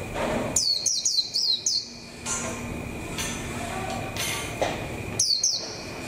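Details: ['Decoy white-eye in a cage, coming into form for the 2021 season. A fast series of high, falling chirps is followed by a gap with scattered noises, then two more chirps near the end.']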